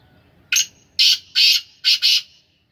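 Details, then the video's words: Captive black francolin (kala teetar) of the Sindhi Gangas strain, kept by its owner, gives a loud harsh call of five grating, buzzy notes: one short, two long, then a quick close pair, over quiet background. "Kala teetar ki awaz / black francolin voice کالا تیتر کی آواز"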